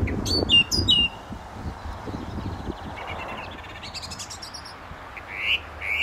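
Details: Song thrush singing near a gravel pit at St Albans, England, in May 2012: a high chirped phrase given twice, then a fast rattling trill, then rising whistled notes, with faint low rumble behind.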